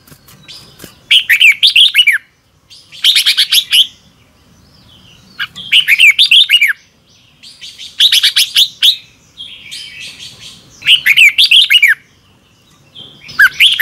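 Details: Red-whiskered bulbul morning training song in the 'double twisted voice' style: short, lively phrases of quick looping whistles repeated roughly every two to three seconds, each followed by a clear silence.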